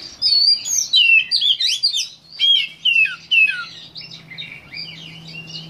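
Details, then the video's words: Oriental magpie-robin singing, May 2015: loud phrases of sweet, sliding whistles and quick chirps repeated about twice a second, rising and falling notes, with a low steady hum underneath. "Magpie robin singing"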